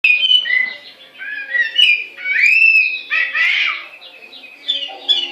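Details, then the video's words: Chinese hwamei, or melodious laughingthrush, singing: a varied run of loud warbled and slurred whistles, some rising sharply, with short breaks between phrases and a faint background hum. "Hwamei Bird Singing"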